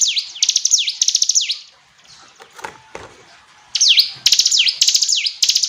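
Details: Hill prinia singing in two bursts of rapid, ringing V-shaped notes that dip and rise again. A quieter gap in the middle holds soft rustles and clicks.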